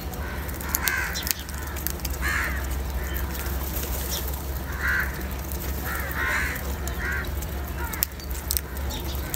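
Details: Crow calling while eating salty food: a series of about six short, harsh caws at irregular intervals, some in close pairs, over a loud steady low hum and background hiss.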